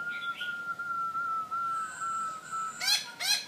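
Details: Black-throated laughingthrush (Garrulax chinensis), song.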